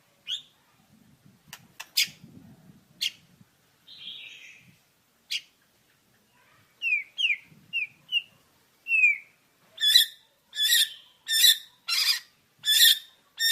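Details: White-rumped shama song: scattered clicks and a short buzzy warble, then several slurred whistled notes near the middle, ending in a run of loud, harsh, evenly repeated chattering notes about twice a second.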